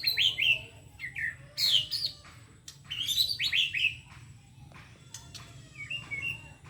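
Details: White-rumped shama kept in a cage during molt, delivering 'batuk kerikil' and 'muntah koral' song: rapid runs of loud, slurred descending whistles and chipping notes in short phrases, with softer twitters between them over a faint low hum.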